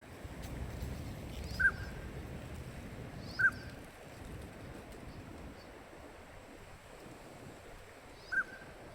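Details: A wintering male Northern pintail on a pond at dusk, stretching its neck to call: a clear, pure note repeated three times at irregular intervals of two to five seconds over a quiet low rumble.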